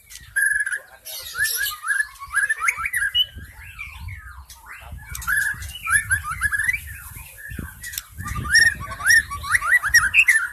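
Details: White-rumped shama lure song from the forest, meant to attract wild shamas: continuous rich warbling with rapid whistled and slurred phrases, over a low background rumble.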